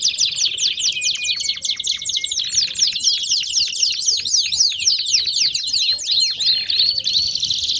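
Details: A canary sings baderna style with a brief low whistled line at the start, then a continuous rapid series of sharp descending chips and trills, bright and loud throughout.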